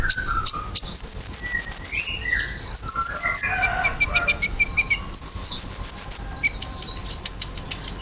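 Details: Ruby-cheeked sunbird used as a calling lure for pet sunbirds. Rapid strings of very high ticks about four per second alternate with falling twittered phrases and scattered chips.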